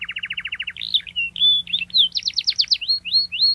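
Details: Canary in rolling song for training young canaries. An even, mid-pitched trill is followed by twisting whistled slurs, a burst of rapid high chips and scattered rising notes, with a faint low hum behind.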